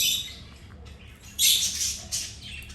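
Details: Birds eating and chirping: broadband high chirps and squawks, a loud burst at mid-clip and another shortly after, over faint background hiss.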